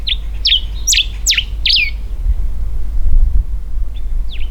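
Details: Territorial song of a common diuca finch perched high in Mendoza's algarrobo forest, Argentina: five loud, clear whistled notes, each a quick downward slur, delivered within two seconds, a pause, then one more note; light wind rumble below.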